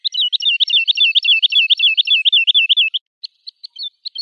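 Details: Woodlark song with a fast, rolling trill of rippling, looped whistles lasting about three seconds, followed by a few scattered faint notes. The recording is otherwise quiet.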